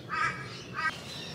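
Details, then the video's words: Rainbow lorikeets screeching in the background on a morning, feeding in flowering trees and on the morning dew: two harsh, rasping, shrill screeches about half a second apart over a faint steady outdoor hum. "So you can hear all those birds screeching in the background, they're the rainbow lorikeets."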